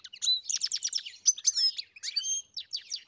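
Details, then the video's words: Farm-kept European goldfinch singing quick bright twitters mixed with thin whistled notes and short buzzy rattles, a continuous tumbling phrase. "Καρδερίνα μελωδία (Goldfinch carduelis SINGING)"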